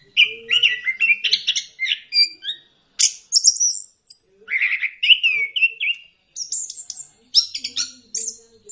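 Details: Orange-headed thrush singing phrase after phrase of mixed mellow whistles, trills and very high sharp notes, grouped in bursts about a second long, played as a lure for lazy birds.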